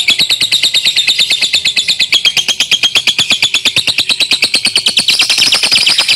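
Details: Young lovebird in a long ngekek trill, a continuous rapid chatter of harsh, high-pitched, buzzy notes repeated about three times per second, evenly paced and loud throughout, slightly shifting in pitch near the end.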